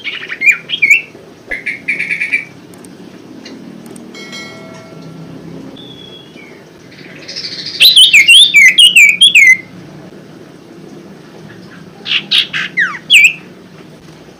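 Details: Golden-bellied gerygone, used as a lure recording to prompt caged birds that have stopped singing or sing reluctantly. A thin series of high, descending whistled notes runs for about two seconds mid-clip, with scattered chirps before and after and a low background rumble.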